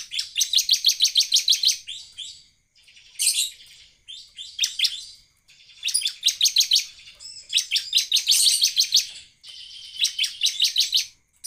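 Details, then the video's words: Bar-winged prinia singing energetically to lure other prinias: loud, fast series of high, metallic chips delivered in bursts about two seconds long, with short gaps and occasional scratchy notes. "CIBLEK GACOR buat pancingan ciblek AGAR NEMBAK"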